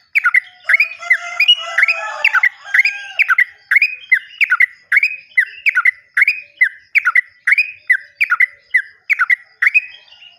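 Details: Sooty-headed bulbul lure song to make caged birds that have gone quiet sing again: rapid run of loud, bright, slurred chirping phrases repeated about twice a second for ten seconds, with a faint warbling bird early on.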